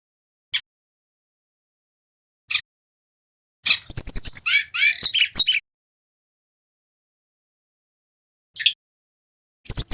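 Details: Male brown-chested jungle flycatcher from Bali, singing continuously, recorded as a lure to draw other birds and prompt silent birds to sing. A few isolated high chirps, then a burst of rapid, varied, high-pitched warbling notes and one late flourish.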